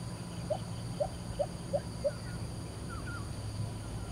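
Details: Lesser Coucal in Singapore singing five hollow, evenly spaced notes about every half second over steady low background hum, followed by a few faint slurred whistles from another bird.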